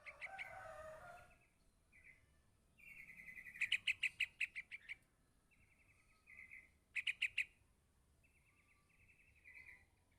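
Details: Yellow-vented bulbul chick calling its parent: buzzy drawn-out notes alternate with rapid bursts of loud, sharp chirps, repeated several times; a brief lower rustling noise at the start.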